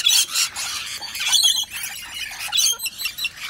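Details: A pair of rainbow lorikeets, showing everyone who's boss, give harsh, screechy squawks, high-pitched bursts tumbling over one another roughly every second.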